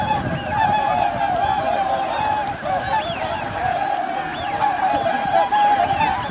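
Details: Steady chorus of honking from a large wintering swan flock at Lake Hyoko, Niigata Prefecture, Japan, on January 8, 2022, with 2,628 swans counted; countless bugling honks overlap continuously, some louder rising notes standing out against the mass.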